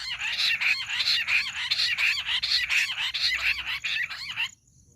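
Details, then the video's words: Jungle bush quail call used in hunting: loud, harsh, rasping notes repeated rapidly and evenly, roughly eight in four and a half seconds, ending suddenly into near silence. "Amazing Quail sound || Battair shikar awaaz || Bush quail voice| baredd Junglee gundri awaaj"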